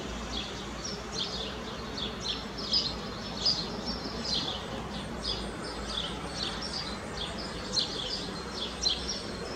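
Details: Eurasian blue tits, a pair shuttling to a nest box roughly once a minute to feed their nestlings; thin, high chirps come in loose runs throughout, partly buried in constant rustling background noise.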